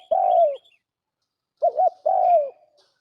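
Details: Turtle dove held in a trap, calling in pure Lao style: a long, slightly falling coo, a pause, then a quick doubled note leading into another descending drawn-out coo. A few faint high chirps sit in the background.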